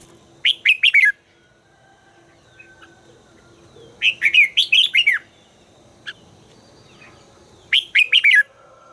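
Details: Song of a red-whiskered bulbul being trained to sing: three clear bursts of rapid, warbling whistles, each under a second and a half, repeated about every three to four seconds.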